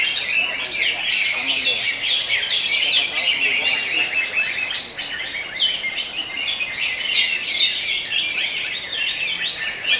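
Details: Greater green leafbirds in a singing competition, session 5, Tangsel: a thick wall of shrill, rapid chirps and tumbling twitters from many birds at once, steady in loudness for the whole stretch.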